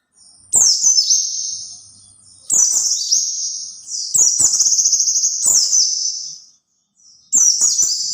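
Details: White-eye singing to attract other white-eyes, in loud high-pitched bursts of fast twittering with quick downward-sliding notes, each burst lasting one to two seconds and starting abruptly after brief quiet gaps.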